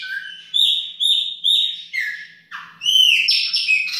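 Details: Chopi blackbird with baianinho-style singing in a kitchen, giving three matching clear whistled notes about half a second apart, then lower slurs and bright rising whistles.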